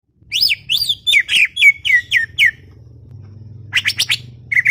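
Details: Greater green leafbird, a chattering bird kept in a garden setting, giving a rapid series of sharp, descending whistled notes, then a burst of high chattering, over a low background hum.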